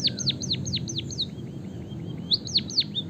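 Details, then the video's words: Javanese white-headed munia with canary song fill, recorded for training other birds to sing. Quick descending whistled notes give way to gentle repeated curled notes, then strong downward whistles return near the end. "suara burung emprit peking bondol kaji gacor isian kenari ngeroll panjang untuk masteran"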